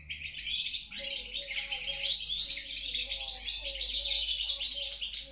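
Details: European goldfinch delivers a dense, unbroken twitter of high chirps, trills and tinkling notes, rising in intensity after the first second and staying busy throughout, above a quiet low background hum.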